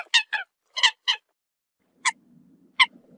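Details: Short, bright, nasal notes from a Eurasian coot calling its flock: two pairs of quick calls, then two single calls spaced out over a faint low hum.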